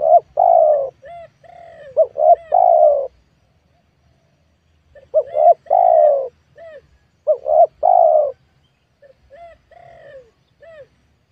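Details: Spotted dove calling while wild doves are lured in a young oil palm plantation: low, hollow cooing phrases of a couple of short notes then a longer coo, repeated in bursts with pauses between.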